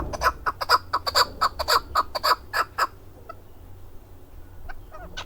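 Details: Chukar partridge (keklik) singing in Darvoz, Tajikistan, 2020: a loud rhythmic series of harsh, hoarse chuk-chuk notes about four per second for three seconds, then faint distant calls and low hum.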